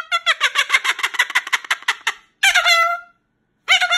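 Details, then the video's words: Moluccan cockatoo kept indoors as a pet, complaining about going to bed in its cage; a rapid string of short, clipped squawks, then two longer, wavering harmonic cries separated by silence. "Moluccan cockatoo Misha doesn't want to go to bed and complains about it"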